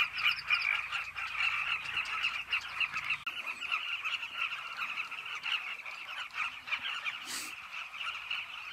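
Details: A dense chorus of many Carmine bee-eaters at a cliff colony where they dig nesting tunnels near a river bank, with throaty, rolling mid-pitched calls overlapping without pause and several birds calling at once.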